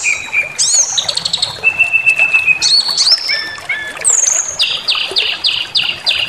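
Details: Lure song of a brown-chested jungle flycatcher for provoking aggression: a held level whistle, then rising and falling slurs, closing with a run of about six identical downward-stepped whistles repeated quickly and evenly.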